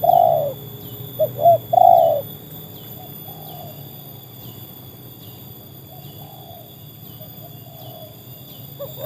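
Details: Spotted dove (tekukur), a trained bird pitted against wild doves, gives three loud hollow coos in the first two seconds, followed by fainter, more distant coos and a low background hum.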